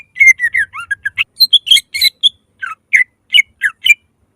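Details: Greater green leafbird singing to stimulate other leafbirds, rapid string of chattering, whistled and buzzy notes, then spaced single slurred notes in steady rhythm toward the end.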